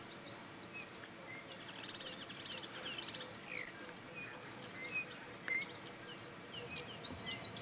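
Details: A male pin-tailed whydah sings while resting on a top branch on a sunrise safari drive, 28 February 2017: a busy run of high, squeaky chirps and thin whistles, with other birds twittering in a steady background chorus.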